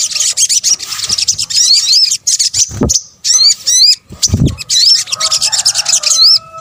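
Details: Sunbird, known locally as sogok ontong, in a bird-luring sound combination: busy high chatter, then a series of clear rising hooked whistles, separated by two brief gaps with low thuds.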